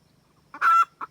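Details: Red junglefowl hen calling the rooster, trapping-lure sound: one loud, harsh squawk framed by a single short cluck on each side.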